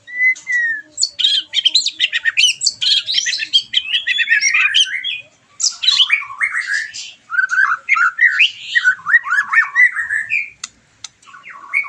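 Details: White-rumped shama in full song, played to stimulate a bird finishing its moult: a long, rapid medley of clear whistles, sliding notes and harsh chattering trills with only short breaks.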